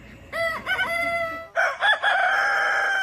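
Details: Rooster crowing in two bursts: a short broken crow with wavering notes, then a louder crow starting abruptly and holding a long, steady, rich tone to the end.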